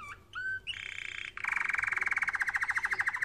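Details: Canary singing for training: a couple of short whistled notes, then a low, fast, buzzy rattle that speeds into an even pulsing trill against a slight background hiss.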